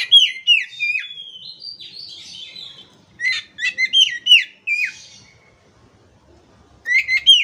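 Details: Oriental magpie-robin song intended to restart a stressed, silent kacer: quick downslurred whistles and chips in clusters, a softer drawn-out phrase, then another rapid burst of loud sweeping notes repeated about three times a second.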